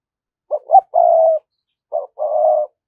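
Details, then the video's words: Caged lure spotted dove cooing: a pair of short low notes, then a long level coo, with a second shorter phrase after a pause. Clean, low and hollow, with no other sounds. "cu gáy mồi cây thúc gù bài bản"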